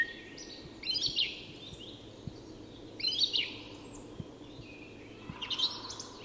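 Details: Song thrush at dawn in Sweden's Tyresta National Park, delivering three loud, high, complex phrases about two seconds apart, each a quick burst of sharp notes over a quiet, soft background.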